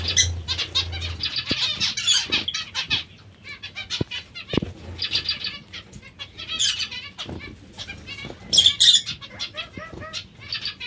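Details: Zebra finches being given vegetables give rapid, nasal, toy-trumpet-like beeps and chatters, many birds overlapping, with wing flutters and rustling throughout.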